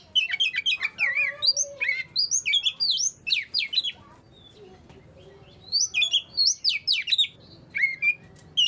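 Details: Magpie-robin song to prompt other magpie-robins to sing: energetic chattering and whistled phrases, a quiet gap of about two seconds, then more rapid varied notes.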